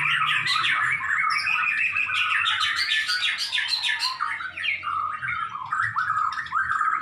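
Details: White-rumped shama (murai batu) tutor recording with a dense, unbroken torrent of chattering trills, buzzy notes and sliding whistles, loud throughout with steady low background noise.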